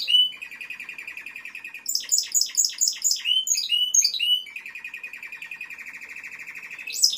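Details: Timbrado canary song opening with a steady rolling trill, then a run of quick, descending, chirping notes and high slurs, then settling back into another long, smooth roll.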